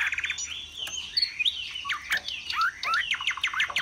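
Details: Captive Chinese hwamei from Vietnam in its fanning display, singing a lively jumble of rising and falling whistled slurs with quick sharp chips, somewhat softer against faint background hiss.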